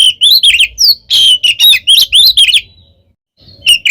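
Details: Fighting song of an oriental magpie-robin, the 'ngeplong tarung' style played to rile rival birds: rapid, varied whistled phrases and chirps for over two seconds, a brief pause, then singing resumes.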